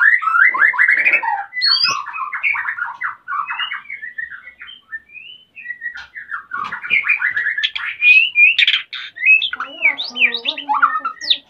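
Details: Breeding-condition male white-rumped shama, kept at a breeding site in Salaman, Magelang, Central Java, calling to mate as the female nests: a long, loud, richly varied medley of whistles, trills and chattering notes, some rising sharply, with scattered clicks.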